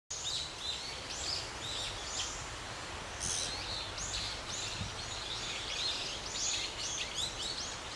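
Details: Gray starling at Ginga no Mori, Chuo Ward, Sagamihara, Japan, while preying on a small lizard and flinging it against the ground; quick, high, chirping notes repeated in irregular bursts over a steady outdoor hiss.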